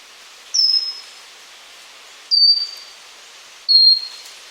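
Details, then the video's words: Pygmy wren-babbler (Pnoepyga pusilla) singing: three high, thin whistled notes, each opening with a quick drop and then held on a level, slightly falling pitch, spaced about one and a half seconds apart over faint steady background hiss. "Suara Burung Berencet Kerdil (Pygmy Wren Babbler)"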